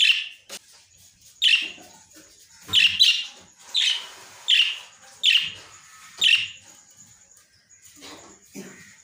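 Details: Lovebirds giving loud, shrill, squeaky calls in bursts, about seven sharp shrieks spread unevenly across the recording, with quieter chirps and clicks in between.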